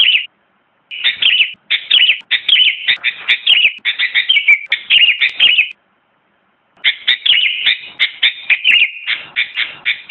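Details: Sooty-headed bulbul singing: rapid bubbly chirping phrases of short, bright notes, sometimes sliding downward, in two bursts separated by a pause of about a second. No other sounds are heard.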